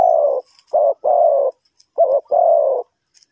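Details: Trapping-decoy spotted dove, Ninh Thuận, Vietnam, giving five loud, hoarse, low coos in two groups of short and long notes, separated by a brief pause.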